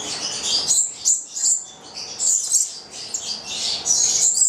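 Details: A pair of 9-month-old lorikeets (labelled Goldie's lorikeet, though named as Charmosyna in the description) give high, thin, shrill screeches in quick overlapping chattering bursts with hardly a pause.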